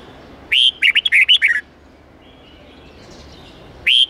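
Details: Red-whiskered bulbul in the 8-9-10 note twisting forest style, played to drill young birds in learning song: one rapid phrase of about seven sharp whistled notes, then silence, with another phrase starting right at the end.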